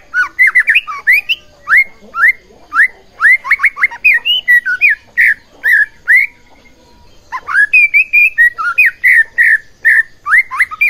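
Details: White-rumped shama song used as a lure to provoke other shamas into singing. Rich, varied whistled phrases, many slurred and rising, delivered in quick bursts with a short pause mid-way, then resuming with further rapid whistles.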